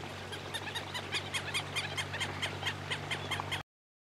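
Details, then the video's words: Southern lapwing, called quero-quero, uttering a quick chain of rasping notes, a little over two per second, partly masked by a steady low hum, ending abruptly. "Quero Quero Cantando"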